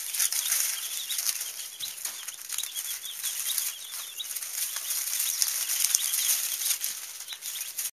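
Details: Three-day-old chicken chicks on a farm, giving a steady stream of thin, high, downslurred peeps in quick irregular succession, half buried under a loud constant hiss.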